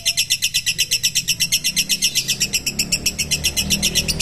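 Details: Lovebird, a 'mentil' type, giving a long ngekek: a continuous, high, harsh chattering trill of about six even pulses per second, steady and unbroken throughout, with faint low background hum.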